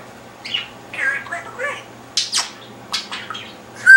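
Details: Pet parrot on its perch saying silly things indoors: short squawky, speech-like bursts separated by pauses, a couple of sharper high squawks near the middle, ending in a bright whistled note.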